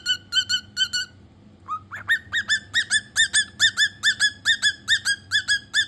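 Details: Cockatiel whistling: a brief pause, then a steady run of evenly spaced, slurred whistle notes, rising slightly into each note and repeated about three times per second.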